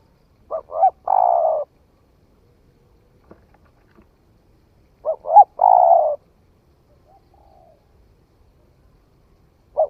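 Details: Spotted dove newly come into voice, tried out in the forest in Vietnam: two short rising coos, then a long, level, throaty note, phrase repeated about every five seconds, with faint clicks between.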